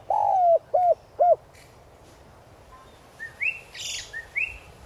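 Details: Decoy spotted dove in a 'gáy gọi' calling style with a 'son' voice, used to stir wild-caught doves into calling: three low, slurred coos in quick succession, then thinner, higher chirps from another bird.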